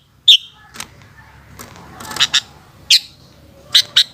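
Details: Sooty-headed bulbul calling in the afternoon: scattered short, bright chirps and squeaky notes at irregular intervals, some in quick pairs, with a faint low hum.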